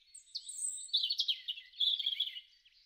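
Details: European robin singing in a garden in spring, March to April 2013: a high, thin warbling phrase of sliding whistles and rapid twittering notes, fluttering and rich, ending in a soft trill.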